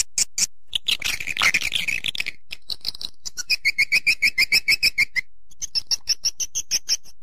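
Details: Calls played to draw in swiftlets: bright high chirps and a short noisy twitter, followed by long even runs of clipped two-tone chirps at a steady quick pace.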